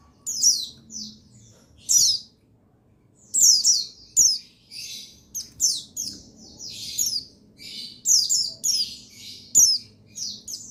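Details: Male buxtoni white-eye (pleci), a therapy sound to make lazy males sing. Scattered high chirps open the passage, then build into a busy, continuous twittering of descending notes.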